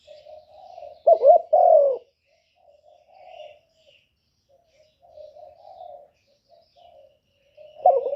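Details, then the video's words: Spotted dove used as a lure bird in trapping, cooing to excite and draw in wild doves. A loud, throaty burst of coos near the one-second mark and again at the end, with softer, low, murmured cooing between. "Cu gù kích bổi, kéo bổi về tàng tiếng chim cu gáy đi bẩy"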